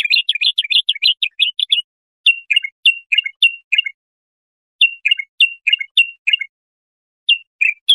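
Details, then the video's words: Bulbul singing, a recording meant for young goldfinches or hybrids to learn from: a fast twittering run of clipped notes, then slower, spaced phrases of two or three sharp chirps separated by pauses of about a second. "تغريد طائر البلبل"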